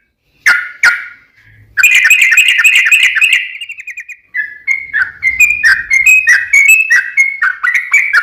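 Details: Yellow-vented bulbul, played as a lure so other bulbuls answer and sing: two sharp opening notes, then a long rapid buzzy trill fading away, followed by a run of bubbly, warbled phrases rising and falling.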